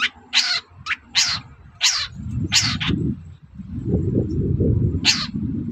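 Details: Long-tailed shrike calling in the morning, used to provoke other birds into answering: a few loud, harsh, rasping notes, partly masked by heavy low rumbling noise.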